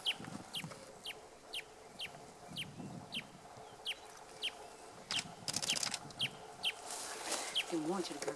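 A Sincora antwren gives a steady series of sharp, high, down-slurred notes about twice a second. Scratchy noise and a low clucking sound come in near the end.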